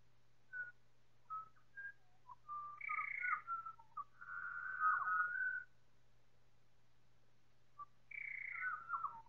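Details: Four Pied Butcherbirds singing together, heavily time-stretched: scattered short whistles build into overlapping rich fluted phrases, some high and sliding downward, a pause, then another descending whistled phrase.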